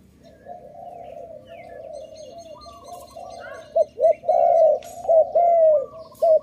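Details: Dove recorded at a bird-trapping site, with a soft steady chorus of many distant doves cooing before a nearby bird breaks in with loud, low, mellow coos: short clipped notes mixed with longer drawn-out hoots in the final seconds.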